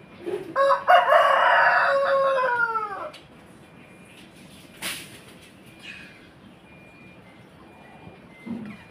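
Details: Crowing rooster: a loud harmonic crow opens the recording, a brief lead-in then a long held call sliding down at its end, followed by quiet background with faint clicks and a soft distant chirp.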